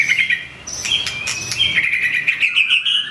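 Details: White-rumped shama (murai batu) with a curved tail, pouring out its song repertoire to call out a rival; bright whistled notes and quick slurred chirps tumble in busy overlapping phrases over a steady background hiss.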